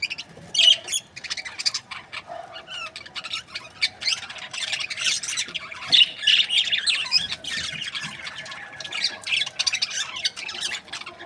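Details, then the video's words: Chirping from budgerigar breeding pairs: rapid clicks, thin squeaks and scratchy warbled phrases from several birds, uneven and bursty, with occasional clearer whistled notes rising out of the lively background chatter. "Budgies parrot chirping sound"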